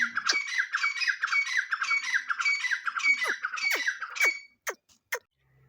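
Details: Grey francolin chicks calling: a dense run of squeaky, scratchy chirps, nearly two per second, fading into a few sharp, falling squeaks with short gaps at the end.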